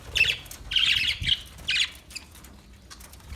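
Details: Parakeet chirping: three harsh, buzzy bursts in the first two seconds, each a short squawky chatter, followed by quieter scattered clicks and faint background rumble.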